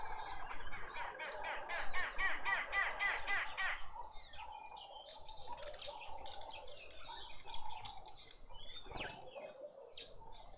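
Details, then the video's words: Lovebirds in a Pretoria suburban garden, South Africa, a family feeding a juvenile: a rapid run of harsh, buzzy repeated notes for several seconds, then looser chirping and twittering over low background rumble. "Lovebird family feeding a juvenile"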